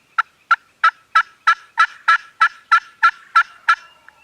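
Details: Gobbling farm turkeys, recorded with a Canon G7X: a steady series of twelve rattling, burbling bursts, about three each second, growing slightly louder and then fading with one soft final note.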